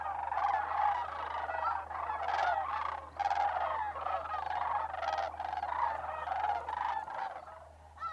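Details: Many migrating sandhill cranes calling in December at Bosque del Apache, New Mexico, their trumpeting notes coming in surging bursts that swell and briefly ease.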